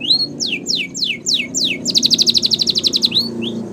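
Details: Canary training song in Spanish Timbrado style: a run of steep downward-sweeping whistles, about five, then a rapid rattling trill of short repeated notes around one second long, ending with a couple of rising slurred notes; faint low hum beneath.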